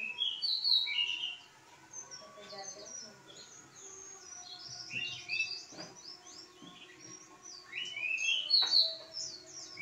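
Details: Lively pied bushchat singing in energetic bursts of sharp chirps and bright, upward-sweeping whistles, a quieter stretch between, then another burst, over faint humming tones and a few soft knocks.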